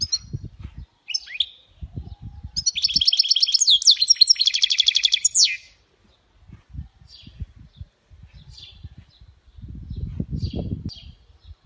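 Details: Goldfinch mule (European goldfinch hybrid) singing: scattered thin high chirps, then a dense three-second burst of rapid, bright twittering and trilled notes, followed by sparse short tweets, with intermittent low thumping noises throughout.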